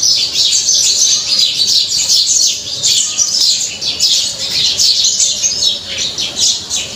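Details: House sparrows enjoying the rain, a flock chirping loudly: dense, continuous overlapping high chirps and twitters with no pauses, over a steady hiss of rainfall.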